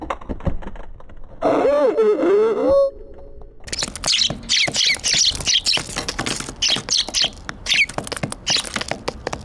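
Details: Eurasian tree sparrows on a balcony, 18 December 2022, giving a busy stream of short, bright chirps in rapid succession, with clicks and knocks and a brief wavering, voice-like tone near the start.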